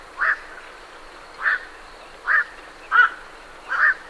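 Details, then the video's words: Five hoarse, clipped croaks from night herons departing their roost come roughly every three-quarters of a second, each a brief nasal bark over quiet background noise. "Night Heron. Calls MCU From Birds Leaving Roost"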